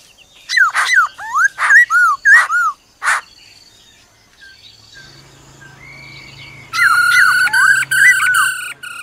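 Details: Black-throated laughingthrush in forest-voice song with the female's rolling trill: a rapid burst of clicks and hooked whistles, a quiet gap with faint low hum, then a strong rolled harmonic phrase.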